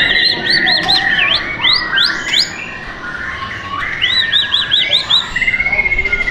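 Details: Song of a White-rumped shama at a bird shop in South Tangerang, Indonesia: series of clear arched whistled notes repeated in quick runs, with lower sliding whistles and a long steady whistle near the end.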